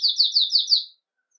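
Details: Belgian canary of red agate mosaic colour in lively Campainha song, recorded live in the morning: five quick, sharp, high descending notes at about five per second, followed by silence.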